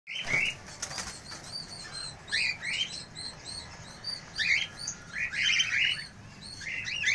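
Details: Cockatiels calling: short, bright rising chirps with harmonics, given singly and in quick bursts, several overlapping toward the end, with a faint rustle of flapping wings near the start.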